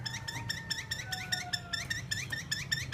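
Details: Captive Chinese hwamei of the fighting type gives a steady run of short rising notes, several per second. A faint thin tone sounds behind it, over a low room hum.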